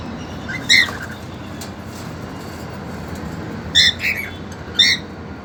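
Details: Two caged cockatiels, a two-month-old female and a young male keen to mate, give a single sharp chirp, then a quick cluster of two or three harmonic squawks a few seconds later, over faint background hum.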